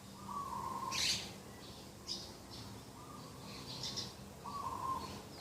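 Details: Dove cooing at a garden edge on a morning, 2 October 2021: three trilled mid-pitched coos spaced roughly two seconds apart, mixed with sharp high chirps and squeaks from other birds and a low steady hum.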